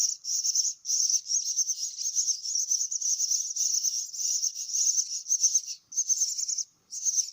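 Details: Myna chicks begging while being fed: a continuous high, buzzy, trilling chatter in long bursts, broken by a few brief pauses near the end.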